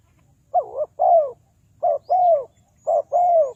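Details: A lure spotted dove, used to trap wild doves in Ninh Thuận, Vietnam, gives three clear cooing phrases. Each has a short wavering double note followed by a drawn-out, gently descending coo. Soft distant twitters sound faintly above.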